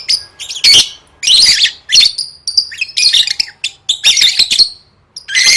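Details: Lovebird in training for singing competitions, dense rapid chattering of high harsh chirps and squawks in bursts, nearly continuous with brief gaps.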